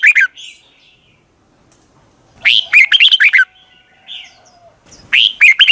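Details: Red-whiskered bulbul morning training song in the long double-twisting style, used as a decoy voice for training other bulbuls. Three loud, bright, warbled phrases rise then tumble down, each under a second, separated by short quiet gaps.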